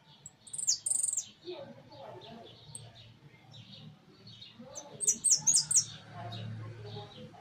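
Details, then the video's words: Caged hooded siskin in a large aviary giving two bursts of shrill, high-pitched repeated notes, one early and one later, with constant lower twittering and chirping from other birds behind. "Jilguero amarillo priando en jaulon"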